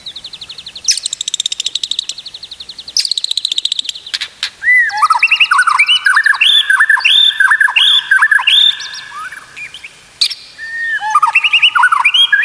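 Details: White-rumped shama song used as a master recording to train caged shamas to sing: high trilled notes, then a varied run of clear looping whistles and sweeps, fast and loud throughout.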